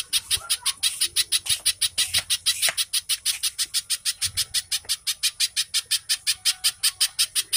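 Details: Used to coax captive birds into singing, this little spiderhunter gives an unbroken series of sharp, buzzy high notes at roughly five per second, with faint softer chirps in the background.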